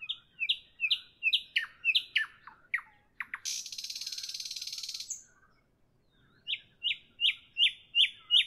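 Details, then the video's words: Nightingale singing in the evening: a run of repeated rising whistled notes and several sharp falling strokes, then a dense buzzy rattle lasting over a second, a short pause, and another series of repeated whistles. "Evening nightingale, nightingale song, nightingale"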